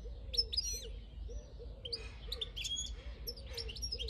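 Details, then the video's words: European goldfinch from the countryside, recorded in 2022: scattered high twittering and tinkling notes come in short bursts. A dove coos steadily and softly underneath, with a low hum of background noise. "Jilguero campero"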